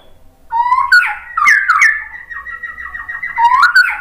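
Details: White-rumped shama pouring out a sustained, warbling whistled phrase that wavers up and down without a break, over a faint low hum.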